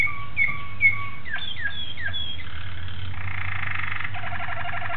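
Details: Malinois Waterslager canary recorded 26 October 2012: paired clipped chirps, a few quick down-slurred notes, then a dense buzzy roll breaking into a rapid pulsing trill, over constant low hum.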